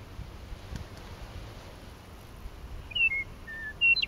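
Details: A meadowlark in a coulee at Lethbridge on 9 May 2014 sings late in the clip: a brief burst of clear, slurred whistles, some dropping in pitch, over a low wind rumble.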